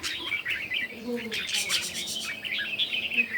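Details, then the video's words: Short burst of red-whiskered bulbul morning competition song: quick chirpy warbles over background clatter and faint low tones. "Chim Chào Mào Hót Đấu Buổi Sáng"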